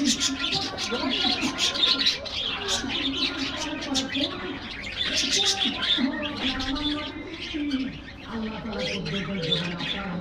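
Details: Many aviary budgerigars chattering as they get a morning diet treat: continuous high scratchy twitters and chirps in bursts, with low cooing notes from other birds beneath.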